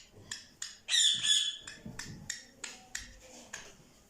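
A Black francolin gives a loud, harsh, grating squawk, then a run of dry, scratchy notes about three per second.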